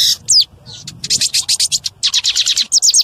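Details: A male lined seedeater sings loudly to stimulate other birds: an opening slurred whistle, then a long series of quick, evenly spaced high buzzy notes and twittering downslurs.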